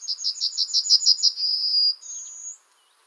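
Yellowhammer song: about eight quick, dry, high notes in a rattling run, then a drawn-out lower note and a final higher, thin one.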